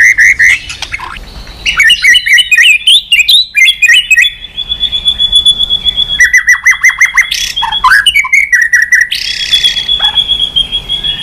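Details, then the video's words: Stimulated to sing hard, a White-rumped shama switches voices constantly and flicks its tail. It mixes rich whistles with rapid chattering trills and long, steady high whistled notes, broken by sharp rising sweeps. "Chòe Lửa kéo dây yến đảo giọng đập đuôi liên tục. kích Chòe Lửa hót căng."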